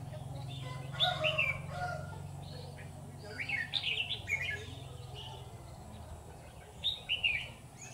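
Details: Red-whiskered bulbul singing at a Vietnamese bird trap where a decoy lures wild bulbuls: bursts of bright, slurred whistles repeated with pauses of a second or two, with a steady low hum beneath.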